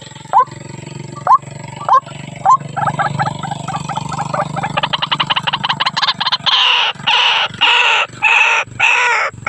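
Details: Female White-breasted Waterhen calling to the male: a few spaced short nasal notes quicken into a rapid stuttering series, then give way to loud, harsh, repeated croaking notes about once a second.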